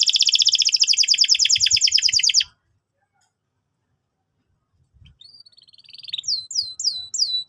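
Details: Canary used as a singing lure for young canaries. A fast rolling trill stops abruptly, about two seconds of silence follow, then soft notes build into repeated upswept whistles.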